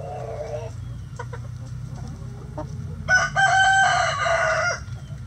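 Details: Chickens in a coop being fed: a short nasal note and a few soft clucks, then a long, loud, ringing harmonic call with a break in the middle lasting nearly two seconds, over a low hum.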